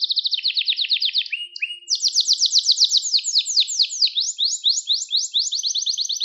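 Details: Loud, unbroken canary song for teaching young birds, fast trills stepping down in pitch, then a long run of bright descending sweeps repeated several times a second, very rapid and rolling throughout.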